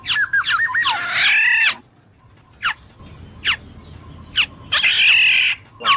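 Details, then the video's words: Black-naped oriole: a rough, rasping nasal squawk lasting under a second, followed by scattered short, sharp downward-slurred notes and a second harsh squawk near the end. "suara burung kepodang emas jernih"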